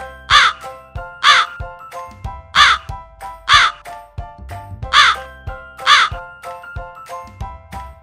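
A crow gives six harsh, rasping caws, about one every second and a bit, over soft background music.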